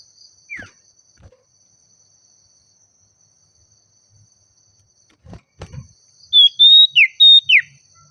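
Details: Agitated Oriental magpie-robin in full song, calling out a rival: one brief falling whistle, then after a long quiet gap a quick run of loud pure whistles, level and then sharply dropping, with soft low knocks before them.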